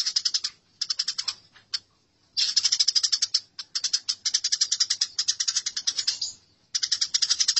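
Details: Quarrelling house sparrows in masteran form, with long runs of quick, harsh chirps broken by two short silences, the chattering dense and rhythmic throughout.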